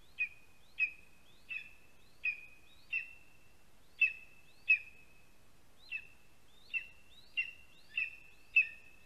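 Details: Lesser spotted eagle chick at its spruce nest in Latvia on 27 July 2020, early afternoon, begging as a parent brings prey, likely a vole. High, thin whistled notes with a slight downward slur repeat about 14 times in nine seconds, irregularly spaced, over quiet background.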